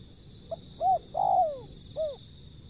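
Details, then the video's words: Low, soft call of a wild zebra dove: a quick short note, an arched coo, a long downward-gliding coo and a final rounded coo, with a steady faint hum behind. "panggilan burung liar si pehang"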